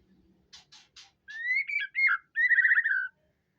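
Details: White-rumped shama singing vigorously (gacor): three short dry harsh notes, then loud rich whistled phrases that slur and warble, ending in a fast buzzy trill with a falling tail.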